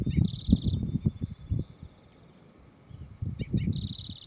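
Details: A Spotted Towhee (Pipilo maculatus) at Charles M. Russell National Wildlife Refuge, Montana, USA, gives two high, buzzy, half-second bursts about three seconds apart, over a heavy low rumble of wind.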